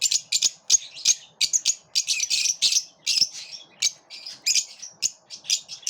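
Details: Lovebirds living together but repelling each other; dense, continuous barrage of loud shrill chirps and harsh squawks, rapid and overlapping with barely any gaps.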